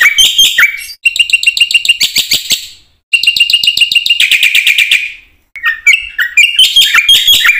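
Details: Black-winged myna in full song, offered as a lure to train other mynas; bursts of rapid, ringing, metallic chatter alternate with short gaps and lower, harsher slurred notes.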